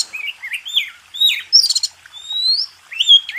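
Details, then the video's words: White-rumped shama (kacer) song used as master training for contest birds: wavering whistles, a buzzy stuttered burst, then a long rising clear whistle and a bright final note. "MASTERAN SUPER MEWAH‼️JUARA KONTES.NO1"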